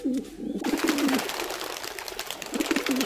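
A wild pigeon gives soft, low, rolling coos in short phrases roughly every second, over a steady rushing background noise.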